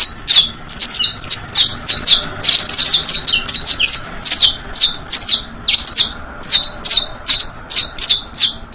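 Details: Continuous saffron finch song used for tutoring young birds of the basto, pinto and fino types: a rapid, unbroken string of bright, high chirps and short descending slurs, loud and close throughout.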